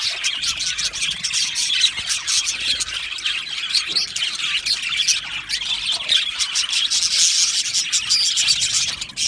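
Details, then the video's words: Budgerigars singing and chirping in an aviary, a dense chorus of scratchy high chatter with intermittent sharp squawks and short whistles from several birds. "Beautiful Australian Budgie birds aviary sound | Budgie singing and chirping sounds"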